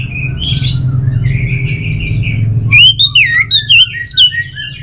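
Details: Orange-headed thrush, North Bali, with thin sustained whistles followed by loud, clear, looping whistled notes repeated in quick succession, a low constant hum beneath.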